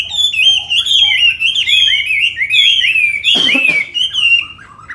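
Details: Tame Chinese hwamei kept in a cage in Hà Nội, Vietnam: a steady, loud stream of rolling whistled notes, briefly broken by a harsh burst before the melody resumes and fades.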